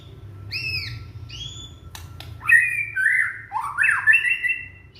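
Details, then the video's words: Young white-rumped shama from Indonesia singing as a lure for shamas that have stopped singing. Clear whistled notes open the phrase, followed by louder, rich, warbling slurred phrases that rise and fall. "Murai batu muda tunjukan pesona,cocok buat pancingan murai macet bunyi"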